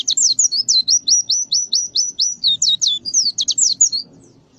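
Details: Canary song meant for training white-eyes to sing: a steady series of sharp, descending high notes repeated about four times a second, closing with brief varied chirps, faint rumble beneath.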